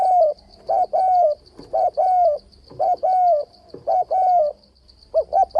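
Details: Spotted dove cooing continuously to draw doves into traps, short sharp notes and sustained soft coos alternating in a steady rhythm roughly every second, with a constant high insect buzz in the background.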